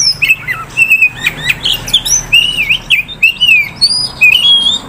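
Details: From a Kisaran bird dealer, a prospect Oriental magpie-robin sings continuously: bright wavering whistles, buzzy chatter and high ascending slurs follow one another every fraction of a second.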